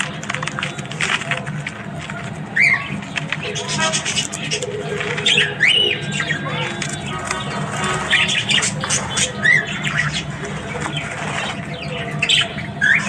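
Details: Australian budgies in the morning produce a dense, scratchy twitter broken by occasional clear rising whistles every few seconds, with a steady low hum throughout.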